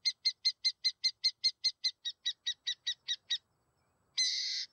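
Burrowing owl giving about seventeen rapid, high, clipped notes, roughly five per second, then a harsh, rasping screech after a brief pause.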